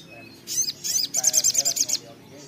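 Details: Little spiderhunter (sogok ontong, sogon), 'gacor ngotor' singing: a short burst of high, sharp notes, then a fast run of about ten clipped, evenly spaced high chips over quiet background hiss.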